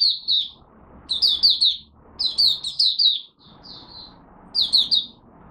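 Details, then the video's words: A caged oriental white-eye from Malaysia starts singing for the day on 1 August 2023, giving short phrases of three to five bright, high chirps, each about a second apart, with faint indoor noise. "Malaysian Mata Puteh Buka Sing Poseidon 1st warm up for the day"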